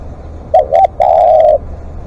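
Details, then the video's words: Live decoy spotted dove giving long calls: two short clipped coos in quick succession, then one sustained, even coo lasting about half a second, loud and close against a quiet low hum. "เสียงนกเขาใหญ่ ต่อสดเรียกยาวๆ"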